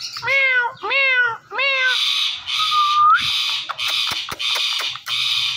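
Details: Talking Indian ringneck parrot gives three wavering meow-like calls, then a smooth upward whistle, over a steady hiss and sharp bursts.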